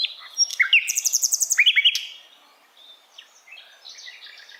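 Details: Asian brown flycatcher singing for songbirds to copy: sharp chirps and a rapid run of about a dozen high trilled notes, then fainter scattered twitters.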